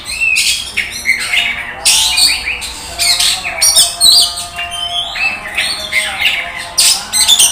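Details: Champion Oriental magpie-robin from an Indonesian singing contest: dense bursts of loud, scratchy, whistled phrases in quick succession, with a low steady hum behind.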